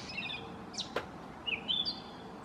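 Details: Gray catbird song in a mockingbird-like mimicking manner: a few scattered squeaky notes and a slurred whistled phrase, broken by a sharp click, with faint hiss behind.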